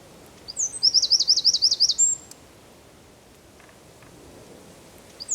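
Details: Winter song of a Eurasian wren in Zamudio, Basque Country, December 2019: a fast, high-pitched burst of about a dozen ringing notes lasting under two seconds, then quiet.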